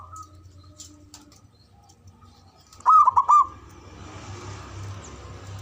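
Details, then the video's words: A male local zebra dove in ngoar manggung style, a call used to excite mating arousal and emotion. It gives one loud phrase of four quick warbling coo notes over a low background hum, followed by faint hiss. "SUARANYA🔊 PALING DI CARI UNTUK PENDONGRAK BIRAHI & EMOSI❗NGOAR MANGGUNG"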